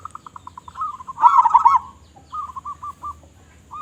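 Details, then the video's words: Zebra dove, local strain, singing with a big voice: a quick staccato string of clipped coos builds into a loud, rolling, warbled phrase, followed by a softer stuttering series of short notes. "Perkutut Lokal Gacor Suara Besar"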